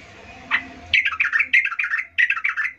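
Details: Female yellow-vented bulbul luring males with a call: a single sharp note, then quick bubbly chattering phrases in two rapid bursts, rising and falling.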